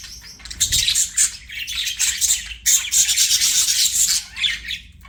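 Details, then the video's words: Budgies kept as pets give a fast stream of raspy, high-pitched chirps and clicking warbles, nearly continuous with a couple of short breaks, interspersed with sharper whistled notes. "BUDGIE CHIRPING SOUNDS"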